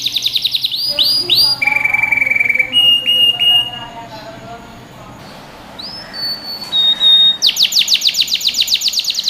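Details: Canary singing for training young birds: fast sweeping notes, a buzzy held trill and clear level whistles, a quiet gap, then isolated whistles and a loud rapid rolling trill at the end.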